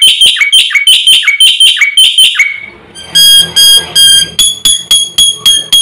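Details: Black-winged myna (jalak putih) in constant full song with mimicked fill phrases, said to rile birds across the village: about eleven rapid bright notes with falling tails, then a pause and a series of steady, harmonic-rich whistled notes.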